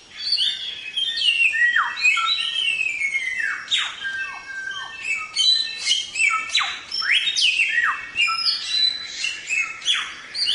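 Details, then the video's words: Samyong singing nonstop for training other songbirds: a dense, tumbling stream of whistles, trills and plunging slurred notes with hardly a pause. "Suara Burung Samyong | Gacor"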